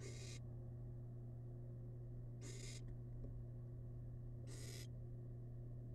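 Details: A young wild barn owl in a monitored nest box, devouring rabbit remains, produces three harsh, wheezing hiss bursts spaced about two seconds apart against a continuous low hum.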